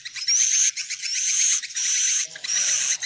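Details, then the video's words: Swiftlet roost lure: four harsh high-pitched buzzing bursts with a rising whistled start, close together, plus a faint low rattle near the end. "Suara panggil burung wallet menginap"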